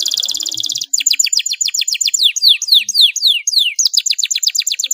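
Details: Canary song meant to train young canaries, in the 'cuit cuit' rolling style: a buzzy high roll gives way to rapid repeated down-slurred whistled notes, about four a second, ending in a bright trill.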